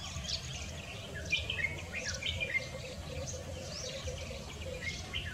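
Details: Red-whiskered bulbul, 26 February 2024: a run of quick whistled phrases, some slurred up and down, repeated every second or so against constant low environmental noise.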